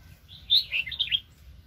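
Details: Red-whiskered bulbul, a fiery wild bird caught up in trapping in 2020, gives a single quick, bright, warbling phrase of four or five linked whistled notes, over faint low rumble.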